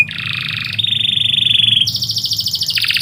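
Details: Canary song recorded at midday, made of long sustained rolling trills, a buzzy low-pitched roll switching to a steady whistled trill, then a higher fast rattle that drops in pitch near the end.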